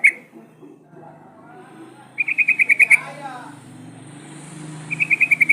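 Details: Sooty-headed bulbul used as a lure for other bulbuls: one sharp note, then a rapid buzzy rattle of about eight notes, a pause over steady background hum, and a second rattle.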